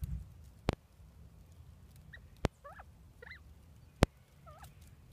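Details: Bobwhite quail, a small group newly housed in a temporary enclosure before a bigger run and coop in spring, utter quiet wavering whistled notes in a loose series, broken by sharp loud clicks and a low hum.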